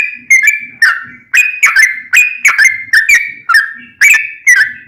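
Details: Sooty-headed bulbul giving rapid 'ropel' song to coax other bulbuls into replying; loud, sharp whistled phrases with chattering starts, spaced roughly half a second apart, some doubled.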